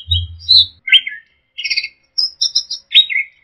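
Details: Orange-headed thrush recording used to train songbirds: separate clipped phrases, buzzy chirps, high ringing pips and a falling slurred note, with a brief low thump at the start.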